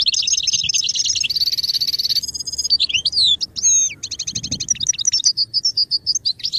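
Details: Goldfinch singing in song-training audio: long buzzy high trills, sweeping slurred whistles, then fast repeated chirps and scattered twitters continuing steadily.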